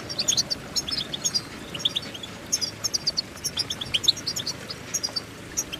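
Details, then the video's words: European goldfinch song: rapid, high twittering of short tinkling chirps and trills, delivered in quick bursts with brief gaps, over a faint steady background hiss. "innovative Ways To impress The Goldfinch With Bird Melodies"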